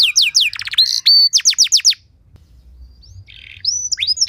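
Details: Canary delivering an elaborate training song used to lure other canaries into singing: rapid down-slurred whistles and a brief buzzy trill, a short pause with faint background, then scattered high whistled notes.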